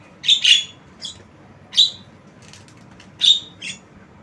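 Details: A tame, talking Javan myna is recorded as a lure. It gives a rapid double squawk, then single harsh rasping notes and a softer chirp, all high and buzzy, with short pauses between them and a faint hiss behind.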